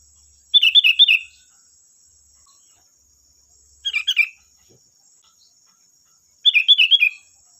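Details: Energetic sooty-headed bulbul song played to provoke other bulbuls into replying: three bursts of rapid, liquid chirping notes, the first and last longer, separated by about three seconds of quiet, with a steady thin whine in the background.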